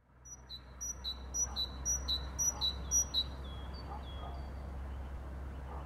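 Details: Great tit singing in spring: a rapid series of two-note phrases, a high thin note dropping to a lower one, repeated about twice a second, then fading into softer notes; steady low hum underneath.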